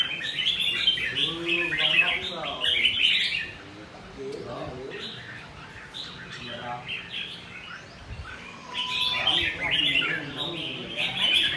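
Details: Red-whiskered bulbul singing hard, bursts of rapid bright chirping and warbled whistles at the start and end, with a quieter middle stretch where a man speaks over faint notes.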